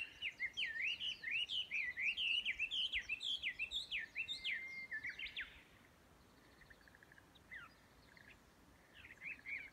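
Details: Chinese hwamei at Yudanaka Onsen, Yamanouchi, Nagano, Japan, recorded 12 May 2020: a rapid run of loud, varied whistled notes with sweeping slurs and trills for about five seconds, then softer scattered phrases and a few short chirps.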